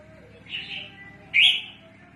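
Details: Red-whiskered bulbul kept for bird trapping, calling often: a soft, sustained, slightly wavering note, then a loud, sharp call that rises abruptly.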